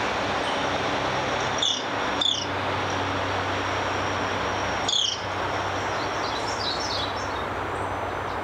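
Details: White-collared manakin in Costa Rica: sharp snapping clicks paired with short, high, downslurred notes near 1.7, 2.2 and 5 seconds, then faint high chirps, all over a steady, loud, broadband hum with insect-like background noise.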